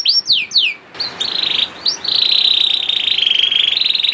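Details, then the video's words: Young canary lure song for stimulating silent canaries: a few descending whistles, then a long rattling buzzy trill. "PANCINGAN KENARI PAUD TERBUKTI AMPUH MEMANCING KENARI SUSAH BUNYI IKUT GACOR"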